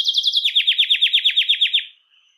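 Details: A Belgian canary, singing a song that attracts and calls canaries, delivers about fifteen rapid descending chirped notes in an even series, then fades to a soft thin note.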